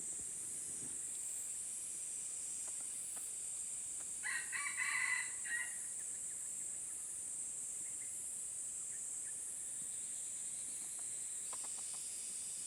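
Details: Wild red junglefowl from Aceh, Indonesia, approaching a decoy bird: one short, broken crow of about a second and a half in harmonic bursts, over a steady high insect drone in the background.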